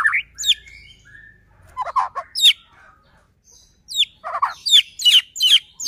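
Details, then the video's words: White-rumped shama song used as a lure for other shamas: scattered harsh chirps and buzzy notes in short bursts, separated by pauses. "Murai batu gacor AMPUH buat PANCINGAN murai batu agar bunyi JADIKAN burung murai EMOSI"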